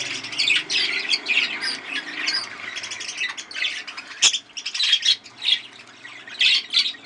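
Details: Breeding budgerigars kept by a hobbyist; a loud mix of harsh squawks and chattering warbles in overlapping bursts, with one sharp click midway and a low hum early on.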